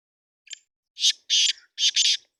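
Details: Black francolin calling: one short thin note, then three loud, harsh, grating bursts in quick succession, the last split into a double rasp, all within about two seconds against a quiet background.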